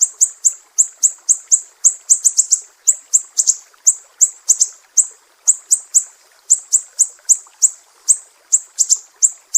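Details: Mangrove whistler from Sumatra, a master recording for training songbirds in the sharp 'besetan' style: piercing high chips about three per second, some doubled or tripled, over a clean quiet background.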